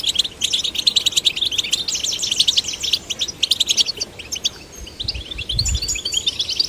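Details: Caged male and female goldfinch chicks stimulated to sing give a rapid, high twittering song of clustered chirps and trills, steady throughout with a short pause near the middle and faint low bumps late on.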